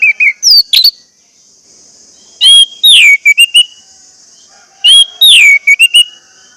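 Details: Lure song of an orange-headed thrush meant to make caged birds sing: repeated phrases about every two and a half seconds, each a clear whistle, a descending slurred note and several quick chirps.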